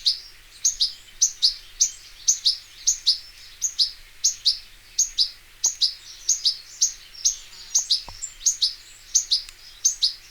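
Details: Wild European goldfinch, known locally as Arus al-Turkman or Taqtaq Shawk, giving bright clipped chirps in a regular rhythm roughly every half second, each note sharp and high, with a couple of faint clicks in the background.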